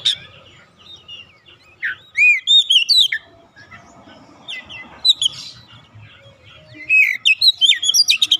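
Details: Oriental magpie-robin, untrained yet singing lively at once: loud looping whistles and rapid chirps in two vigorous bursts separated by a quieter stretch with low rustling.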